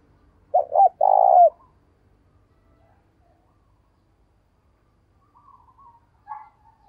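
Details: Spotted dove decoy calling wild birds in the morning: one three-part coo phrase, two quick notes and a drawn-out purring coo, followed by silence and distant faint bird notes near the end.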